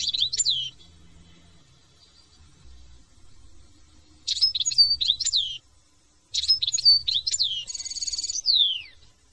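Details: French European goldfinch singing short bursts of tinkling, rapidly changing high notes with pauses between, the last burst ending in a buzzy trill and a downward slur; faint low hum beneath.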